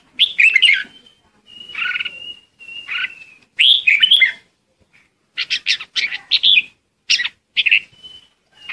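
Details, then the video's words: Red-whiskered bulbul giving a lure song to call the flock, short bubbly whistled phrases with thin sustained tones, then a quick series of clipped chirps. "Chào mào hót gọi đàn | Tiếng chào mào mồi hót gọi đàn hay"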